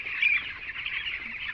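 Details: Ten-day-old farm chicks in winter, many peeping together: a dense, continuous chorus of high, thin cheeps overlapping without pause, with one sharper note standing out near the start.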